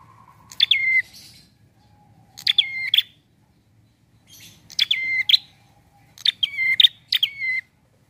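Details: Prinia song in a relaxed style, played to lure birds for trapping: four spaced phrases of sharp notes sliding down into brief whistles, the last one doubled, over a quiet low hum.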